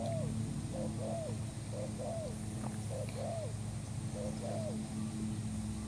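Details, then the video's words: Spotted dove call used as a trapping lure, from a new bird: paired mellow coos, a brief note followed by a longer arched, down-slurred one, delivered in four evenly spaced phrases over steady low hum. "pikat terkukur burung baru"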